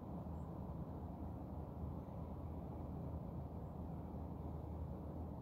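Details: Steady low rumble of engine or traffic noise fills the whole stretch, with no bird or other animal calls standing out.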